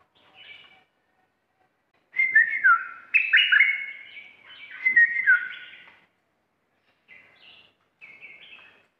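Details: Red-whiskered bulbul, a fierce decoy bird kept in a cage, delivers bright, rapid whistled phrases with swooping slurs in a long central burst, framed by brief softer chirps before and after.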